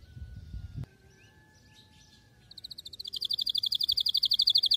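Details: A canary sings a fast, bright trill of high repeated notes rolling steadily to the end, after a brief thump and faint tones; recording used to train canary chicks to sing.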